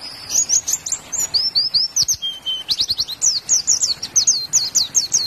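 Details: Zosterops white-eye, a popular Indonesian cage songbird known for mimicking other birds, singing a fast, bright stream of high chirps and rolling trills, one short level whistle near the middle, steady and unbroken throughout.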